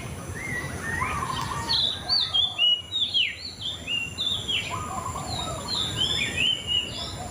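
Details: Murai cacing (white-rumped shama) giving a fast, melodious run of whistled notes and slurred slides, phrases tumbling one after another with a few louder, sharper peaks, against a low constant hiss.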